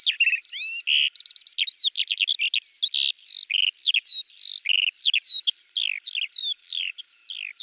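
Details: Eurasian skylark, Russia, delivering an unbroken torrent of sharp chirps, rattling trills and short slurred whistles, rapid and varied throughout.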